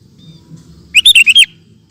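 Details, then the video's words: Sooty-headed bulbul, a strong singer used to tutor cage birds, gives a single cheerful phrase of five rapid, liquid whistled notes rising then dipping, preceded by a faint thin tone and low background noise. "Suara Burung Kutilang Gacor Cocok Untuk Masteran"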